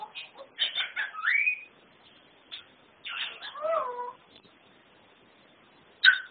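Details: Captive African grey parrot that copies Norwegian words and household sounds: a run of chattering speech-like syllables, a swooping upward whistle, more syllables with a falling whistle, and a sharp final squawk-like burst.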